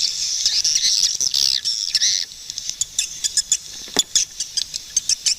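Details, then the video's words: Swiftlet chatter: a couple of seconds of busy high twittering, then a string of separate sharp clicks and brief chirps spaced roughly every quarter second. "Swiftlet bird sound🔊100% | ឡេងសត្វ ត្រចៀកកាំ យំលឺច្បាស់ល្អណាស់"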